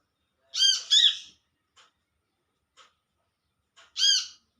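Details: Wild Olive-backed sunbird calling to companions: a doubled, ringing, arched call, a pause with faint ticks, then a single matching call.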